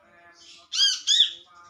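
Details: Calling to companions, an olive-backed sunbird utters two harsh, squawking notes back to back, loud and rich in overtones, against a faint background of thin tonal hum and hiss.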